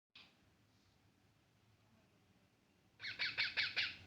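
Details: Baby parrot chirping: after a near-silent start, a quick burst of five or six sharp, bright chirps comes at the end, rapid and slightly uneven over a faint low background hum.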